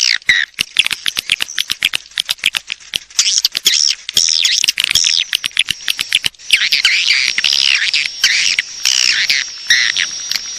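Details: Swiftlet calls for luring the birds: a run of evenly spaced sharp clicks opens, then dense shrill twittering and looping chirps take over, with a faint steady high tone behind.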